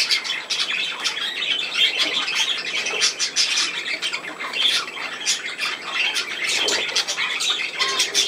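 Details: Pet budgerigars playing indoors, with unbroken, rapid, raspy chatter full of clicks, squeaks and harsh squawks.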